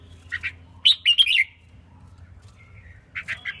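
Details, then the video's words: Red-whiskered bulbul female singing, used to stimulate males, kept as a caged bird: short bright warbled phrases around the upper-middle range, a quick four-note burst after a brief note, then two more notes near the end, faint low hum beneath. "Tiếng chim chào mào yếu lửa hót không đè"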